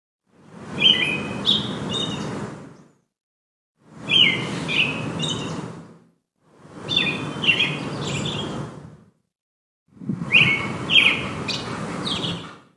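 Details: American robin in a park in spring giving four bursts of bright, high chirps, each about two seconds long and separated by short silences, over low rumbling background noise.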